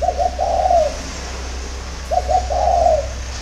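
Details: Early-morning spotted dove song recorded in Vietnam, two cooing phrases with a pair of quick clipped notes leading into a longer purring coo, low constant hum beneath.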